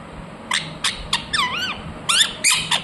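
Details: Ringneck parrot, a talking parrot, with short shrill squeaks, a brief warbling wavy phrase and two harsher squawks, all in under three seconds.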